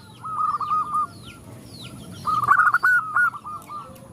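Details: Female zebra dove calling to males, with other doves joining in; a softer rolling coo phrase is followed by a louder stuttering one that opens with clipped notes and continues in even pulses, while faint high chirps sound in the background.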